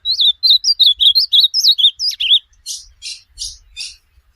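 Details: Ultramarine grosbeak song used as training audio for a pet bird: a quick series of clear, wavering whistled notes, then four evenly spaced harsh buzzy bursts, over faint low knocks.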